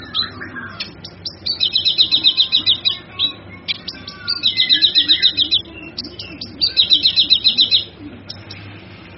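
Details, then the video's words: Male kinoy, kept as a master song for training other birds, gives three bursts of rapid high trilled notes about two to three seconds apart, linked by scattered sharp chirps over a low background hum. "Suara Burung Kinoy Jantan"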